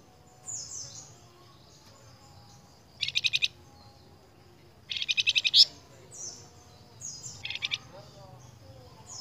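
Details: Vigorously singing flamboyan bird, a lure recording for caged birds: high descending whistles between three rapid buzzy pulse trains of about six to eight beats each.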